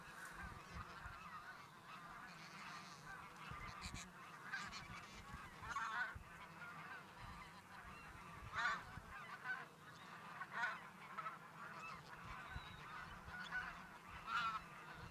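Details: Geese on their daily flight from fields to the lake. Overlapping honks continue for fifteen seconds against a low rumble, with louder individual calls rising out now and then.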